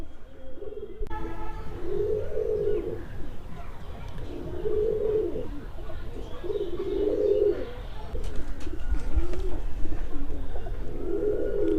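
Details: Male domestic pigeon held in hand and caged with a new female for pairing, trying to mate while she is a bit scared: deep, throaty coos in rolling bursts every two to three seconds.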